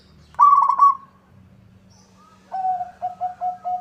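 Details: Zebra dove, local type, in energetic song that draws a rival's answer: one loud rippling trill, a quiet gap with a faint thin tone, then a run of four evenly spaced low, clipped coos.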